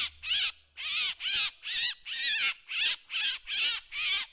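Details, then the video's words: Drongo decoy sound: eight harsh, wheezy notes at a fairly even pace, slightly faster than two per second, with a faint low hum at the start. "เสียงนกแชงแชว ສຽງນົກແຊວ ສຽງຕໍ່"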